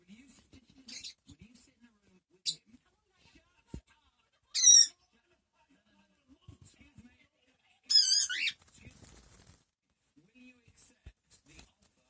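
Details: A cockatiel just after a shower gives two loud, harsh screeching calls, the second wavering and warbled, amid quiet indoor sounds; Cockatiel.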